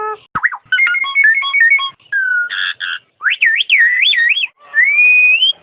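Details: Nias hill myna song used as masteran: a downward swoop, a fast sequence of bright whistled notes, buzzy harsh bursts, looping wavering whistles, and a long slowly rising clear whistle at the end.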